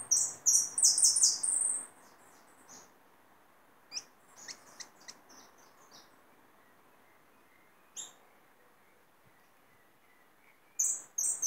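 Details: Hooded siskin caught from the wild: an opening burst of fast, high, tinkling twitters, scattered short chirps in between, then a fresh twittering outburst at the end over quiet background.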